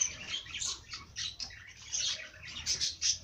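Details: Busy, soft twittering of bird chirps, overlapping high notes with short swelling bursts over a quiet low background.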